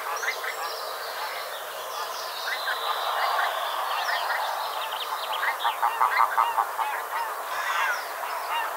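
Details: Pink-footed geese fly close overhead past a hide at Kirriemuir, then call and land: a dense overlapping chorus of high, nasal 'wink-wink' honks, about three a second, growing louder toward the end.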